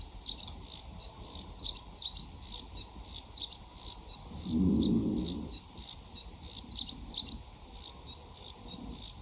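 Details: Sedge warbler in full song, a summer breeding visitor in the UK; a long, hurried string of grating, buzzy and chattering notes about three per second, with a brief low rumble partway through.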